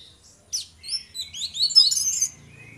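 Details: Short ngeplong phrase from an orange-headed thrush duo: a sharp note, then a run of quick high whistled slurs building into a dense, bright flourish before fading.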